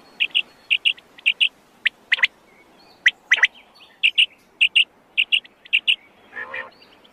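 Quail giving high, sharp chirps, mostly in quick pairs and repeated almost twice a second, with a few clicks and a short buzzy note near the end.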